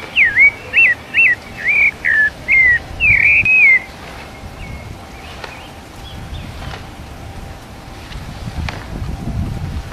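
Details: Rufous-bellied thrush of the São Paulo type, recorded live giving wild-type song: about eight clear, slurred whistled phrases, roughly two per second, lasting four seconds, then only faint distant chirps and hiss.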